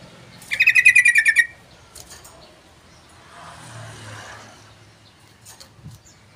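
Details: Rapid ringing trill from a sooty-headed bulbul, about a second of rhythmic repeated notes, followed by scattered clicks, taps and a low engine-like rumble.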